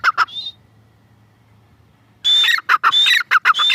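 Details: Grey francolin (teetar) call: two loud, harsh notes and a thin whistle, then a quiet pause with a low hum, then a fresh burst of loud ringing notes repeated quickly.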